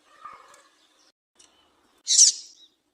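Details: Female Double-collared seedeater call for warming up males: a single loud, buzzy high-pitched note near the end, following faint soft murmurs and scattered quiet ticks.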